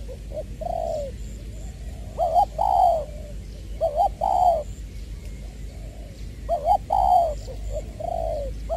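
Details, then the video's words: Decoy spotted dove, Long Đức in Trà Vinh, 22/2/2021, singing 'giọng tiểu': soft lead-in coos, then emphatic phrases of a stuttered note and a rich sliding coo, repeated in three bursts over low background noise. "Ra mắt AE nước chơi mồi lỡ "Chuẩn Giọng Tiểu""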